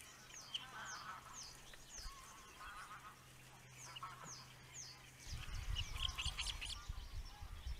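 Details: Osprey father attending the nest, recorded by a nest webcam in the Netherlands: a faint series of short, sharp, downward-slurred whistled chirps, about two a second, over a steady low hum, with rumbling wind-like noise in the last seconds.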